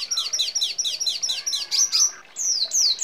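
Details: Red siskin in energetic rolling song, a tutor recording for training songbirds, with sparrow-like and canary-like phrases: a rapid series of high falling chirps, about five per second, ending in longer sweeping whistled slurs.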